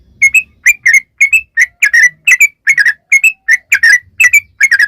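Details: Sooty-headed bulbul, locally trucukan, in long 'ropel' song meant to lure other bulbuls into answering: bubbly, liquid whistled phrases of two or three notes, repeated steadily about twice per second.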